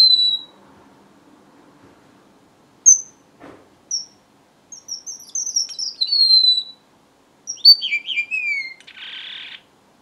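A red avadavat sings a string of thin, high whistles and sweet chirps, ending in descending notes and a brief buzzy rasp.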